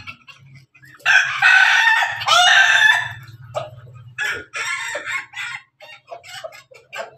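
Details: Pelung and Ketawa roosters crowing side by side. A long, harsh crow in two loud bursts is followed by a series of short choppy notes fading out, with low hum underneath.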